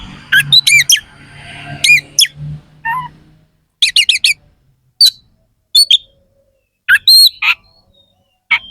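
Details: Oriental magpie-robin singing bursts of harsh, sharp fill-in notes: rapid clusters of scratchy upslurred chips and whistles, separated by brief silences, with a lower note near the middle.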